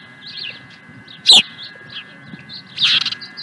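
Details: Osprey at Dunrovin Ranch, 16 April 2020, giving one sharp high chirp followed by a harsher, rasping burst of notes, with soft twittering around them.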